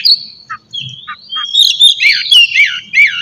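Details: Morning song of a white-rumped shama, played to spur a captive bird into full song: long clear whistles sliding downward, then a dense run of rich warbling and rolling whistled notes.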